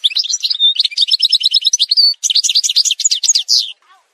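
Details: Edited montage of an Algerian goldfinch giving a continuous stream of quick, high twittering notes with a short pure whistle, liquid chirps and rattling phrases, ending abruptly with a brief faint note.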